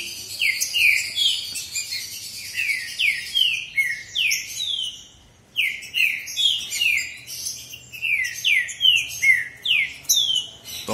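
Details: ['Two male green-winged saltators in a singing contest, loud slurred whistled phrases sweeping down between high notes, repeated in quick bursts of rich notes with short pauses; a man speaks briefly nearby.']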